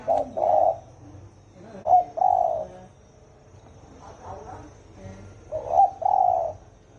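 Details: Spotted dove calling in the deep 'thổ ồm' style meant to excite 'thổ đồng' doves: paired low coos, a brief rising note then a longer hollow one, repeated after pauses of a few seconds.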